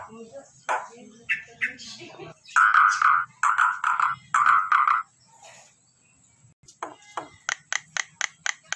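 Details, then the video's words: Nias hill myna giving unusual loud calls: a series of harsh, nasal bursts at mid pitch, then a pause and a string of short, sharp clicking notes repeated about three times a second. "Suara burung jalak NIAS yang unik"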